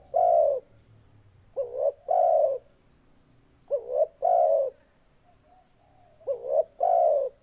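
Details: Spotted dove song: after the end of one coo, three low phrases follow about two seconds apart, each a brief wobbling upslurred note and then a long, rich, steady coo.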